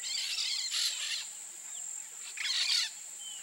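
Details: Two clusters of coarse, scratchy screeches from a peach-fronted parakeet (Eupsittula aurea), separated by a short pause, against a continuous thin insect whine.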